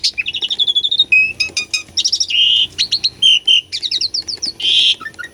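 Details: Asian pied starling in gacor song, used to spark singing in a silent bird: rapid repeated chirps, stacked click trains, buzzy harsh notes and quick whistled series, ending with low short notes.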